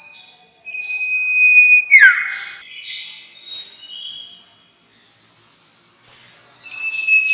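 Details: Common iora calling, played as a trapping lure: a sustained thin whistle ending in a swift downward slur, followed by several short buzzy and chirping notes, a pause, then more chirps.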